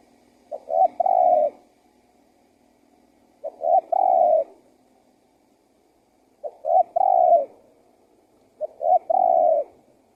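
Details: Spotted dove lure call to make wild doves come and answer: four widely spaced phrases, roughly every two and a half seconds, each a pair of quick coos leading into a longer, falling coo.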